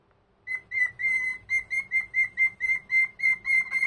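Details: Indoors on a Sunday morning, a senior pet cockatiel greets the day with a steady string of about a dozen sharp, same-pitched whistled notes, coming roughly four each second after a quiet start.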